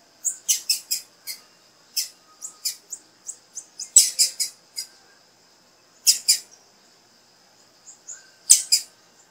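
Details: Female blue-black grassquit calling to encourage the male to sing: sharp, very high chips in quick clusters of two to four, with pauses of one to two seconds between bursts.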